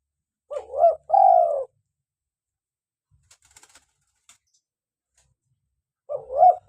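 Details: Local spotted dove (tekukur) call used to lure wild doves and prompt captive birds to call: a low cooing phrase with a short wavering coo then a longer sustained coo, repeated after a pause, with faint clicking sounds between.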